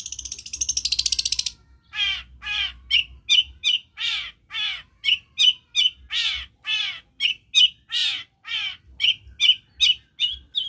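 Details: Long-tailed shrike singing and mimicking other birds' voices: a brief harsh buzzy burst, then a long series of sharp, downward-slurred chirps repeated about two or three times a second.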